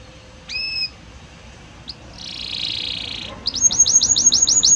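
A Belgian canary sings a bright, high phrase. A clear whistled note leads into a buzzy trill, then a fast run of about ten rising chirps.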